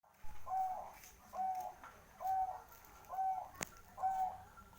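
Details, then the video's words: ['Bangkok-type zebra dove (perkutut bangkok) from Kertosono, Nganjuk, performing its manggung cooing in the bekur ngayer dengkur style: five even, mellow coo phrases, one about every second, over a faint background hum.'] "Suara Perkutut Bangkok Bekur manggung ngayer dengkur"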